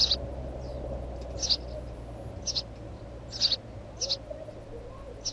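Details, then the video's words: Sharp high chirps from a house sparrow, often doubled, spaced unevenly roughly every half second to second, with faint low hum beneath. "Воробей домовый"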